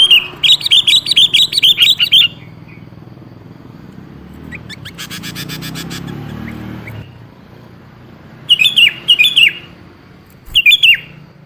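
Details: Sooty-headed bulbul lure song: a fast run of repeated bubbly phrases, then a burst of broad rustling noise lasting a few seconds, then two more short gurgling phrases; meant to make a quiet bulbul reply.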